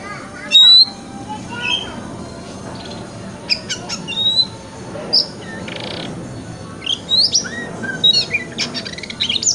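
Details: White-rumped shama singing in the wikplong style for morning tail-opening training: scattered sharp whistled notes and upward sweeps with pauses between them, one loud burst early on, over a steady hiss.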